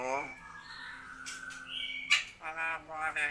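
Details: Hill myna talking in human-like phrases such as Allahu akbar: a harmonic syllable, a long level whistled tone, a sharp click-like burst, then several voiced word-like syllables.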